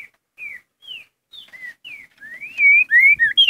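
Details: Curricutil-style song of a green-winged saltator (trinca-ferro): spaced, short, falling whistled notes that speed up into a louder flurry of rising and falling slurred whistles at the end, with faint low knocks.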